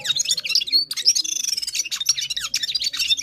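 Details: Full-power singing by a Gulsar from Parachinar: quick, scratchy chirps and thin rising whistles tumble together in a busy, nonstop warble.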